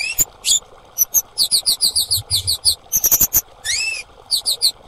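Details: High, thin chirps from a female orange-headed thrush come in a quick, evenly spaced string, followed by a dense cluster and a long upswept whistle; a lure for silent, stressed or stuck birds, with a low hum behind.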